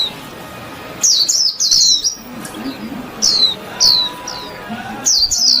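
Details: Chirpy white-eye song in short bursts of bright, high, downward-slurred notes, a few quick phrases separated by quieter gaps of about a second, with a soft low rumbling background.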